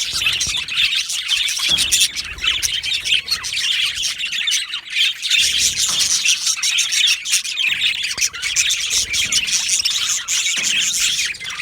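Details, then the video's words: Busy chattering from a colony of yellow male budgies in an aviary, overlapping high chirps, chirrups and harsh squawks running without break. "Beautiful Yellow Male Budgies Birds Chirping sounds"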